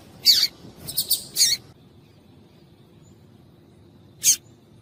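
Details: Female double-collared seedeater call, used to stir males into singing: a quick burst of sharp, very high chirps in the first one and a half seconds, a pause, then one lone chirp, over a quiet low hum.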